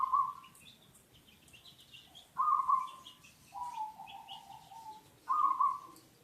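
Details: Local zebra dove kept for luring, repeating bright, rippling trilled coos about every three seconds, one phrase drawn out and falling; faint high chirps of other birds behind.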